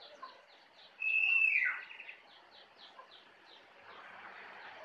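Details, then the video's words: From Kintamani forest on Bali, a jongkangan gives one loud, high whistle that drops into a quick rattling trill, followed by softer repeated chips and a diffuse forest hiss. "Jongkangan Gacor Dari Hutan Kintamani, Bali"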